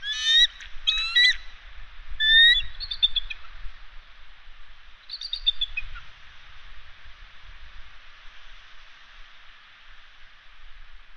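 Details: Bald eagles at a West End nest on Catalina Island swap incubation duty over their eggs; high, thin chittering calls with bright harmonics come in quick bursts over the first three seconds, one more near five seconds, then only steady hiss.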